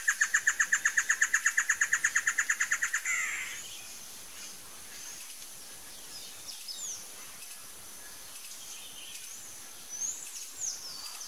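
A Great Antshrike gives a fast run of about thirty hollow notes over three seconds, ending in a rough snarl; faint chirps of other birds follow.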